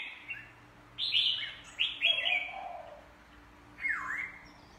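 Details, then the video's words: Caged red-whiskered bulbul training to sing, giving short loud whistled phrases around the upper midrange, with pauses between bursts and a final downward-swooping note; faint low hum in the background. "chào mào luyện hót căng lửa"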